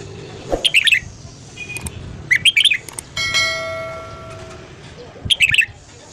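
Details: Morning song of a red-whiskered bulbul for voice training: three rapid, warbling phrases of bright notes, with a ringing, bell-like tone and faint clicks between them.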